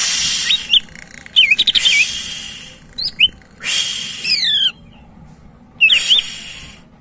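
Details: A greater green leafbird in full, lively song, recorded for use as a lure to prompt other birds, sings loud, varied phrases: looping whistles, quick downward-slurred notes and short buzzy chatters, with brief pauses between bursts.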